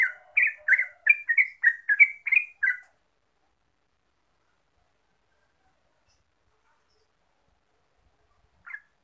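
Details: Trucuk, the Yellow-vented bulbul, in gacor ropel lure song: a quick run of about ten bubbly, chattering whistled notes over three seconds, then long silence and one last short note near the end.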